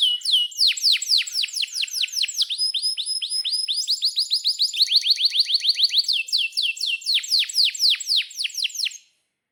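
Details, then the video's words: Canary in long rolling song used as tutor for young canaries: continuous rapid trains of high falling chirps, changing speed and pitch in several tours, with a brief steady whistle midway. "Kenari GACOR PANJANG INI Cocok untuk Masteran KENARI PAUD dan Kenari Macet BUNYI"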